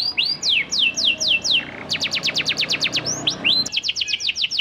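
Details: Lively panda canary singing to stir other canaries into replying: a series of falling whistled sweeps, then a fast rattling trill of sharp notes, ending in rising and falling slurred whistles.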